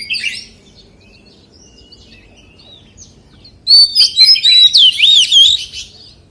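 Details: Oriental magpie-robin singing in wild forest-voice style: a brief chirp opens, quiet follows, then a loud run of rich whistled notes with sweeping, looping slurs and rapid trills over the last half.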